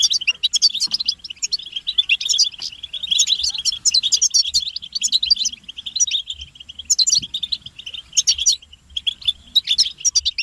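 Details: Group twittering of European goldfinches, calls described as stimulating males and signalling mating readiness; quick thin chirps stream along with bursts of sharp high squeaks every few seconds and short lulls.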